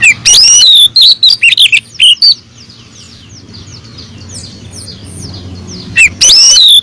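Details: Female oriental magpie-robin calling the male, played as a lure: quick run of loud whistled and clipped notes with swooping glides, a pause filled with faint distant chirps, then another loud whistled burst.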